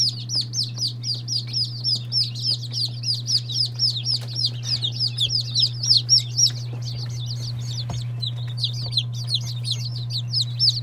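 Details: A brood of day-old chicks, Lavender Orpingtons, Marans, Silkies, Seramas, Legbars and Salmon Faverolles, keeps up a steady run of shrill downslurred peeps, roughly four each second, against a low background hum.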